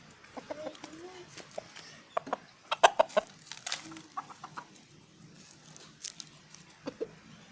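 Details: Chicken calling to hens; a loose run of short, abrupt clucks and clicks, bunched in bursts around the middle, then sparser, with brief low murmuring notes between them.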